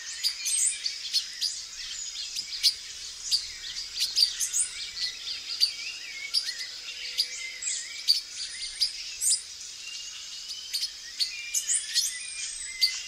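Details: Male silver-beaked tanager in a Brazilian backyard: a stream of sharp, high, clipped chips and short metallic notes repeated irregularly, mixed with thin rising whistles and other bird chatter.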